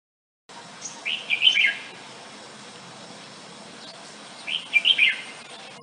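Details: Red-whiskered Bulbul, commonly heard in parks and nature reserves, gives two short bursts of song, each a quick run of five or six bright, warbled notes, about three seconds apart.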